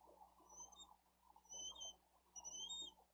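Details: Bald eagle nestling asking for food, Dade County live nest cam, 13 April 2023, while the parent feeds the older chick fish; three short, high, piping whistles about a second apart over soft rustling.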